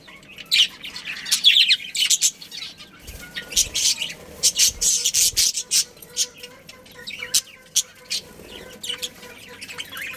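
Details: Pet budgies in a colony, a breeding pair family, giving scattered sharp high chirps and short squawks with gaps between bursts over a quiet background.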